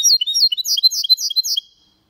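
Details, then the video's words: Hybrid of goldfinch with canary delivering a rapid Malaga-style phrase: rolling, sweeping high notes repeated in quick succession, then stopping abruptly into silence. "Mixto de Jilguero Cantando Limpio"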